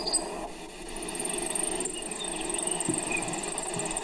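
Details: Brewer's Sparrow long song, sung at the height of breeding in Idaho: very high, fast trills follow one another on different pitches, mostly too quick to count, with Sage Sparrows in the background and wind noise.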